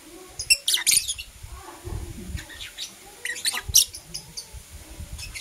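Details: Lovebirds of Blue Opaline and Parblue Euwing Opaline colour, morning chatter: dense run of high, harsh, squeaky chirps in clustered bursts, over low thumping background noise.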